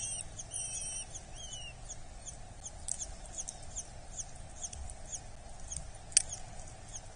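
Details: Eurasian hobby (Falco subbuteo) chick at a nest in Dorset during feeding, 8 July 2024: thin, high squeaky begging calls in quick bursts, then a few faint clicks and taps over a low steady hum.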